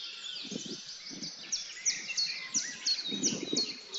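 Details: A male European robin courting a female he has just fed gives thin, high tinkling notes and quick trills in a steady stream, over a soft low rumble.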